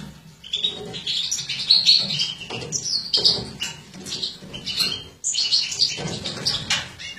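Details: Captive female European goldfinch, a mutation bred by a hobby breeder, 2017, feeding ('embuchando'); rapid, bright, high twittering chirps in irregular bursts throughout, over a faint low background rumble.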